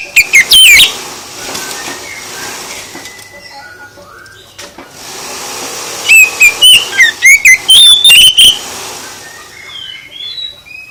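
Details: Oriental magpie-robin song used to make other birds respond. A brief loud whistled burst opens, then steady hiss with faint notes, then about two seconds of bright, varied whistles before the hiss returns.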